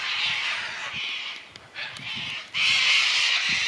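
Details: Sulphur-crested cockatoos in Tasmania, Australia, recorded 20 April 2004, give harsh, grating screeches in long raucous bursts, with a brief lull before a loud, sustained screech.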